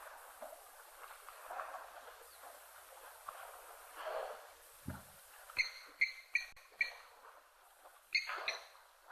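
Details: A blacksmith lapwing at an African waterhole gives sharp, metallic tink notes, likened to a hammer on an anvil, about five in quick succession then another pair, after quiet male talking in the background.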